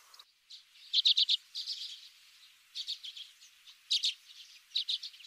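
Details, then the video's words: Common redpoll calling: repeated dry chattering bursts of rapid chips, four or five notes per burst, spaced about a second apart, with fainter buzzy notes in between; no background noise. "Common redpoll 1h bird sound"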